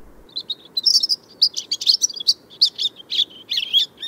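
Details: A European Robin, which likes to sing at dawn and at night, sings a fast, varied run of thin, high warbled phrases and trills, broken by brief pauses, over a soft low background hum.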